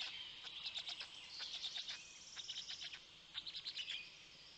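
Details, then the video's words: Black stork storklets fed by a parent in Poland's Noteć Forest at 6:09 am, 19 May 2020; fairly soft, quick high chirps in short clusters, fading between bursts. "Polish Black Stork~Parent is feeding the storklets"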